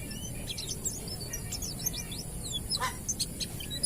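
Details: Oriental white-eye of the wild 'ngalas' type, played as a lure to stimulate young white-eyes to sing: rapid high, thin twittering notes, short slurred whistles rising and falling, with a few sharp clicks and a steady background hiss.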